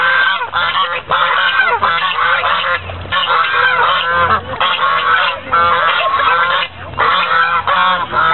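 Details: Noisy white geese at a lake in Fremont, California, late November 2013: continuous rough, braying honks from multiple birds, pulsing in short clustered bursts with only momentary pauses over several seconds.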